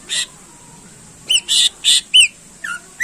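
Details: Greater green leafbird song to excite contest birds: a few loud, harsh, buzzy notes and a sharp whistled chip, spaced irregularly in a short burst.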